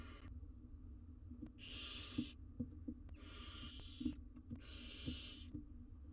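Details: Wild barn owl nestlings, four together in an Israeli research nest box, wait while their mother is away. Four drawn-out, harsh hissing calls, each about a second long, are spaced evenly, with soft clicks and shuffles between them.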